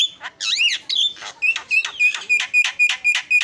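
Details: Javan myna opening with a twisting, warbled whistle, then delivering a fast series of clipped harsh notes, each with a bright whistled tone, about four per second.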